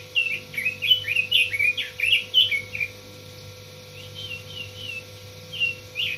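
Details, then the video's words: Caged red-billed leiothrix delivering a fast cheerful warble of slurred whistles over about three seconds, then brief answering phrases after a quiet gap; constant low mains hum in the background. "Suara burung robin.."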